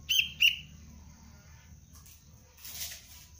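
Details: Juvenile sooty-headed bulbul in cengkram lure training utters two abrupt, bright chirps half a second apart, followed by quiet hum and a brief soft rustling noise.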